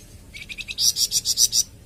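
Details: Flamboyan bird, its song offered as masteran and pancingan material for kept birds. A few light ticking notes swell into six loud, ringing, high pulses in quick succession.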